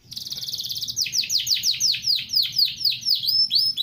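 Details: Yorkshire canary song: a fast, even high trill of rapidly repeated notes, then a series of sweeping downslurred whistles about twice per second, with a faint low hum underneath.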